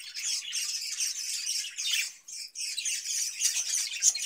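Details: Caged budgerigars, kept in captivity and fed cucumber in summer, chattering with a continuous dense high warble of overlapping squeaks and twitters, with a brief pause near the middle.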